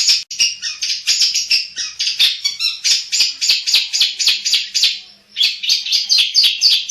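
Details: Caged black-headed long-tailed shrike in full song, pouring out rapid harsh chattering notes, nearly four per second, with high scratchy phrases and one brief pause near the end.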